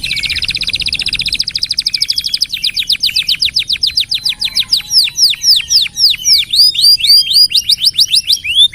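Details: Canary, kept as a songbird and used as a master tutor for other birds, delivers a long continuous song: a rapid high trill of even notes, then slower repeated downward-sweeping whistles, about four per second.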